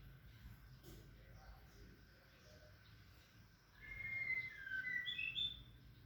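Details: White-rumped shama as a male is introduced to a female he does not tolerate: a quiet start, then a run of loud whistled notes stepping up and down in the last two seconds.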